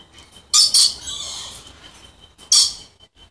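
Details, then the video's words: Pure-subspecies Moluccan red lories: two sharp, harsh screeches in a quick pair, a quiet pause, then another loud rasping shriek. "Moluccan Red Lories"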